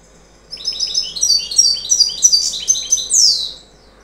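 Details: Young federation-ringed European goldfinch singing before its first moult: a rapid, high twittering stream of tinkling notes and trills that builds over about three seconds and ends in a brief rising buzz, over faint background noise.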